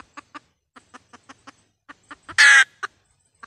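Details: Hen red junglefowl used as a decoy for trapping in Vietnam. Spaced single clucks around one loud, coarse squawk, followed by a final few clucks.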